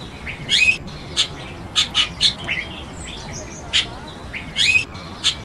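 A Chestnut-tailed starling gives about ten short, high, squeaky chirps at an uneven pace, some doubled. A quiet hiss runs underneath.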